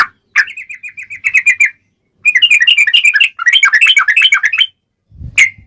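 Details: Sooty-headed bulbul in lively rolling song used to provoke replies from other bulbuls: an even string of quick chirps, then two dense tumbling bursts of varied notes, and a brief knock at the end.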